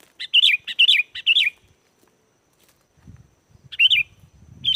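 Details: Sooty-headed bulbul (kutilang) singing, used as a lure to make wild bulbuls answer and as a tutor song. Three quick, bright, warbled phrases come in the first second and a half, then a pause and another phrase near the end, over low rumbling noise.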